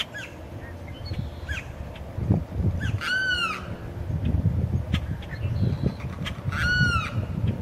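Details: Male limpkin calling repeatedly to attract a mate, two strong arched wailing screams about four seconds apart, with fainter shorter cries between them and a continuous low rumbling background.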